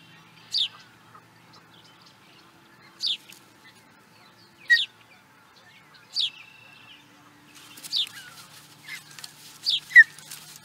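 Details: Osprey recorded in 2017 at Charlo, Montana, USA: spaced, high downslurred whistled calls every couple of seconds, becoming more frequent near the end with some faint background chatter.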